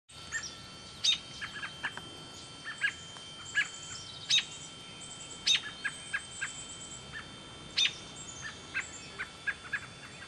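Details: An American robin fledgling in Smethport, Pennsylvania gives sharp, clipped chirps at an uneven pace, one to three a second, over faint high thin notes and a steady background hum.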